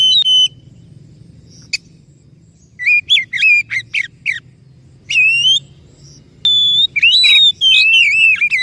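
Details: Oriental magpie-robin song used as a lure to prompt a silent or stressed bird to sing: clear whistled notes near mid-high pitch with bright overtones, given in short bursts with pauses, some phrases sliding and warbling.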